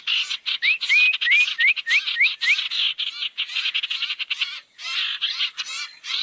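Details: Lure recording of barn owls used to draw owls together: rapid, rough hissing screeches pulse several times a second, with a string of short upward-slurred whistles partway through.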